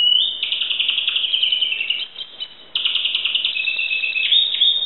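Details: Greek Timbrado canary in song, delivering continuous rolling metallic trills, a brief pause midway, then the trill resumes with slight pitch steps.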